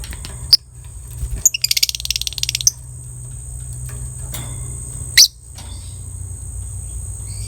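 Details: Ngekek trill from a beautifully coloured 'biola' lovebird, used to stimulate breeding drive. A fast run of high chattering pulses lasts just over a second, framed by a few sharp single chirps, over a constant thin electrical-like tone.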